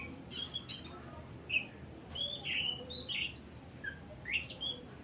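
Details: Oriental magpie-robin singing, offered as a lure to set other songbirds singing: bright, varied whistles and squeaky slurred notes in loose phrases, with a constant faint high-pitched whine behind.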